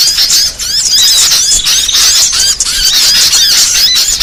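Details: Small-bird trapping lure with rapid, shrill chirping and many arched, whistled notes repeating in quick succession from several birds at once, with brief softer gaps near half a second and two and a half seconds.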